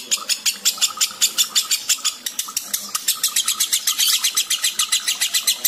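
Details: Breeding-condition lovebird ngekek: an unbroken run of harsh, nasal kek notes, very regular at first, then speeding up and becoming denser and brighter toward the end.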